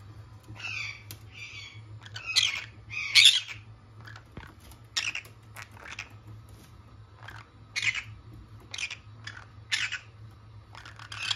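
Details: Two pet green-cheeked conures give harsh, raspy squawks and chattering bursts, repeated every second or so at irregular intervals, over a low steady hum.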